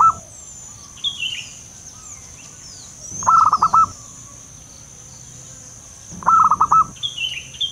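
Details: Lure call of a wild local zebra dove: staccato cooing bursts of about five notes, roughly every three seconds, over a constant insect buzz and occasional higher chirps from other birds.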